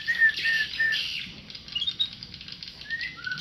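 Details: Tame white-rumped shama song: three short, flat, clear whistles spaced evenly, then quieter high notes and a falling slurred whistle, over a constant high-pitched hiss.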